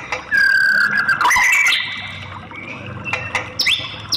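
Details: Female white-rumped shama sounding to excite a male: a long level whistle sliding into a brief rising note and buzzy tail, then softer scattered notes and a short upward whistle.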